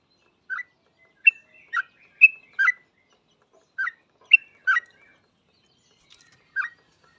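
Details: Yellow-vented bulbul song, used as a lure for other bulbuls; sparse, softer phrases of two or three fluty chirps with bright whistled accents, separated by pauses of a second or more, in a quiet setting.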